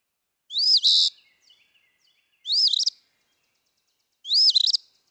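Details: Eastern Phoebe, an insect-eater that likes to stay near water, giving three raspy, buzzy two-part 'fee-bee' phrases that say its name, about two seconds apart, high and clear against a quiet background.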